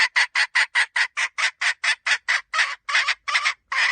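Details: Chicken hen uttering a rapid string of about sixteen short, harsh, hoarse notes, fast at first and then slowing into longer rough squawks near the end, recorded close with a quiet background.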